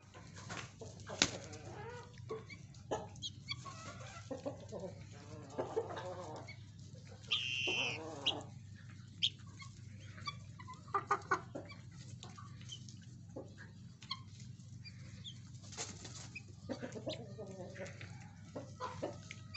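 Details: Four-month-old Helmeted guineafowl chicks give scattered harsh clucks and short chattering calls over a steady low hum.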